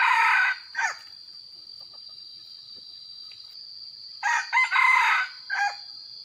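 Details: Red junglefowl used as a decoy in the rainy season: a harsh, broken crow at the start, then after a three-second pause a longer crow of several rough bursts, over a steady high-pitched cricket chorus.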